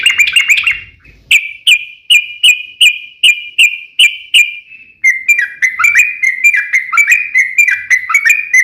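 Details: Lure song of a yellow-vented bulbul (trucukan) meant to make other bulbuls sing back: a brief warble, then a steady series of clear whistled notes about every half second, running into fast, bubbly chattering phrases.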